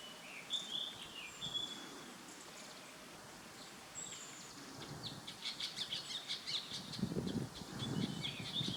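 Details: Ashy drongo (Dicrurus leucophaeus) calling in Uttarakhand, India, in May: sharp, metallic whistled notes and squeaky chatter, mostly high-pitched and irregular, over steady outdoor background noise with a few low thumps.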